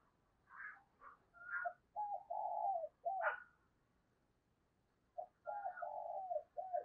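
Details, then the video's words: Faint cooing of a spotted dove decoy, used at Tết to draw in wild doves: scattered soft higher notes, then two phrases of low hooting coos with one long sliding note, over a steady hiss. "Tiếng Chim Cu Mồi Thúc Gù Cực Hay và Hắp Dẫn Để Anh Em Kích Bổi Mùa Tết"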